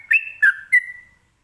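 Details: Sooty-headed bulbul (locally trucukan) singing in the ropelan style, a song meant to make other birds answer: three clear whistled notes around the same mid pitch, the middle one dipping slightly lower, trailing off in a long fading tone.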